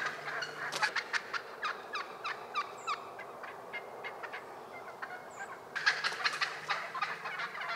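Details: In early spring in Rhode Island, wild turkeys give a long series of rhythmic pulsed gobbling notes. A louder renewed burst comes near the end.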